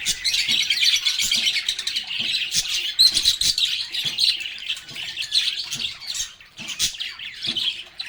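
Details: A group of lovebirds sings and chatters without pause, a bright, busy blend of piercing chirps and twittering notes with small clicks.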